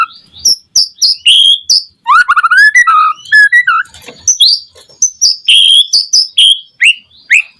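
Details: Energetic song of a white-rumped shama, played to provoke other shamas into singing: a fast run of rising whistled notes, a dense twittering burst in the middle, then sharp high downslurred whistles repeated quickly.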